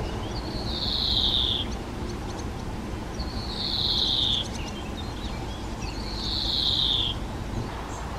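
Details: European greenfinch fledglings begging from their parents, with male and female present; juveniles stay with the adults for about two weeks and their begging carries far. Three long, drawn-out wheezy calls about two seconds apart, over low background rumble.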